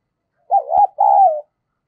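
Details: Decoy spotted dove calling to attract wild doves. A single short two-part coo: a wavering rolling note, a brief break with a click, then a longer smooth throaty coo that slides slightly down.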